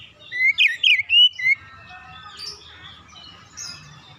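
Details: Oriental magpie-robin singing as a lure for other birds: five loud whistled notes with upward and downward slides in just over a second, followed by faint distant chatter.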